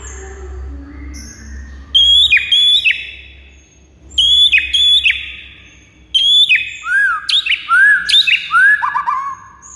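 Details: White-rumped shama song played to rouse rival birds that have stopped singing: quiet low murmurs at first, then three bursts of bright, high whistled notes with falling slurs, each burst separated by short pauses.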